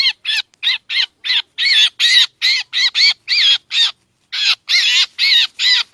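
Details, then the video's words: Black drongo lure recording used for bird trapping in Laos and Isan, Thailand: harsh, grating, buzzy notes repeated about two to three times a second, with a short pause near the end and no other sounds. "ສຽງຕໍ່ນົກແຊວ ນົກອ້ຽງຂາວກະເຂົ້າ || เสียงล่อนกแซงแซว เข้าฮอดนกเอี้ยง"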